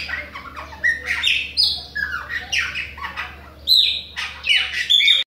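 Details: Bahian chopi blackbird singing nonstop in a rich, varied run of slurred whistles and harsh squawky notes that jump between low and high pitches in short phrases, over a steady low background hum.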